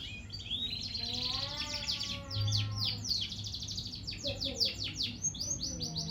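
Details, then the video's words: Young canary learning to sing: a varied run of quick downward-sweeping chirps and buzzy trills, with a faint series of lower, evenly spaced warbled notes beneath and soft background hum. "Kenari muda belia belajar bunyi"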